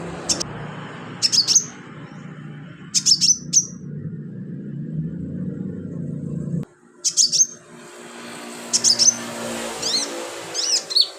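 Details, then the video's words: [['Short bursts of piercing high chirps and brief twittering trills from a sunbird, song meant as filler for tutoring cage birds, come in clusters separated by pauses, with low background rumble fading halfway.']] "BURUNG KOLIBRI/CONIN GACOR buat isian"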